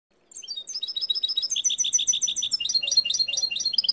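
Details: Winter song of a caged goldfinch and canary cross: fast, continuous twittering of high chirps and trilled notes, rising and falling in pitch, running without pause for several seconds.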